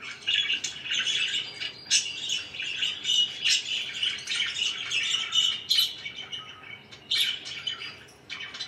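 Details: Pet budgies keep up a steady chirping warble of rasping notes and shrill squeaks, with louder accented calls now and then and a short quieter gap near the end.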